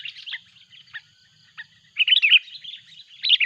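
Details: Sooty-headed bulbul, a loud lure bird, calling noisily as a rival comes in. Scattered short chirps are followed by a dense, bubbling run of loud notes, then another burst at the end, over a thin steady tone.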